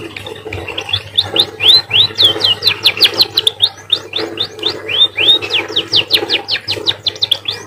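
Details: Munia (emprit) in sustained canary-like song, a dense stream of sharp clicks and looping whistled notes, rising and falling, delivered several per second almost without pause; low hum underneath.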